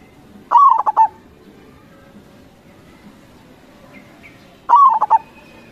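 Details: Crossbred zebra dove, a persistent singer used as a lure to draw answers from local zebra doves, gives two short phrases about four seconds apart, each a rolling, trilled coo broken into quick pulses, over a steady low background hum.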